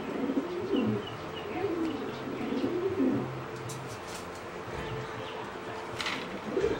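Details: Zebra dove of a singing line bred for competition, with a song unlike wild zebra doves; soft, low, rolling coos repeated in phrases about once a second, then quieter passages with light clicks and background noise.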